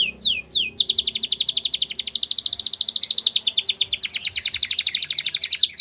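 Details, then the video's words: Canary song for training young canaries: two falling whistles open into a long, very fast buzzy trill of evenly repeated notes lasting nearly five seconds. "The Best Canary Singing For Training"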